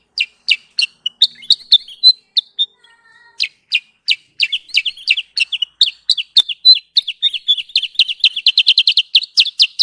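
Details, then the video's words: Sooty-headed bulbul (kutilang sutra) trapping lure: spaced high chirps with a brief soft whistle in a pause, then quickening into a dense, rapid chatter of repeated notes. "Suara pikat Burung Kutilang sutra"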